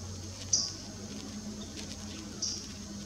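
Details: Summer Tanager at Muyil, Mexico, on December 15, 2017, gives two brief, sharp, high call notes about two seconds apart over a faint low hum.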